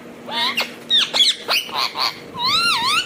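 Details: Indian ringneck parakeet talking: quick, varied speech-like syllables, some sliding and nasal, ending in a longer wavering whistled phrase over a low steady hum.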